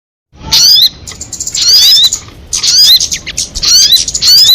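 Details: Crested jay calling: after a brief silence, loud harsh bursts of chatter with high, quick rising and falling squeaky notes, repeated roughly once a second in ragged groups over a hissy background.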